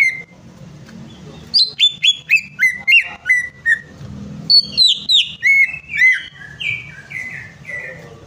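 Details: Greater green leafbird song used as a lure to prompt a stubbornly silent bird to sing: after a brief opening whistle, a run of loud, clear whistled notes steps downward in quick bursts, then a second descending series, over a low steady hum.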